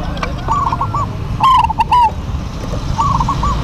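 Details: Duet of local zebra doves singing actively: short rolling, bubbling coo phrases at mid pitch, heard near the start, around the middle and near the end. A steady low rumble of background noise runs throughout.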